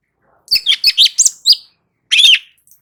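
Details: Light-vented bulbul singing hard for birds to learn from and answer; a rapid run of five or six sharp, chirpy notes, then a slightly longer warbled phrase after a short pause.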